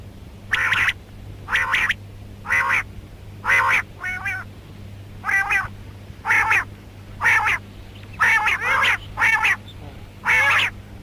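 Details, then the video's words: Female rain quail call series: evenly spaced, harsh quacking notes about a second apart, each a brief nasal burst, one softer warbled note midway, over a low continuous hum; a karkari mix. "Female Rain Quail Calling Batair Ki Awaz"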